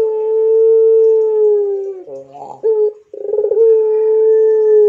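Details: Pelung Barbary dove giving a long level coo that breaks into a brief rough stutter, then returns with a rolled burr and another sustained, slightly falling tone.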